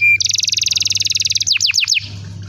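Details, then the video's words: Canary song meant to lure young canaries into singing: a brief high note, then a dense rapid high trill lasting over a second, finishing with four quick down-slurred whistles, against a constant low hum. "SUARA BURUNG KENARI⁉️ Cuit cuit Memancing KENARI paud agar cepat BUNYI"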